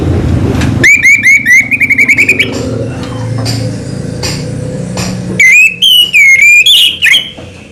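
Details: Anis merah, the orange-headed thrush, in 'selow' style song: a quick run of repeated whistled trills lasting over a second, a gap of low hum, then a richer phrase of warbled, looping whistles and sharp notes.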